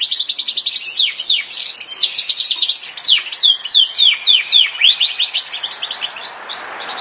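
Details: Yorkshire canary song beginning with a quick, even trill of repeated notes, then moving into loud falling whistled syllables delivered in fast succession, fading into softer twittering at the end.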